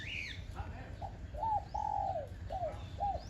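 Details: A kept Spotted Dove, an old decoy bird with a small, high voice, gives soft, mellow coos, several short hooting notes in quick succession; a thin high whistle from another bird opens the sequence.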